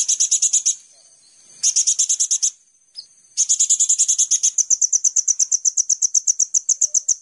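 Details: Lure-recording song of the kolibri ninja sunbird: repeated high buzzy trill bursts, a single isolated chirp, then a long, steady, accelerating series of bright rapid notes.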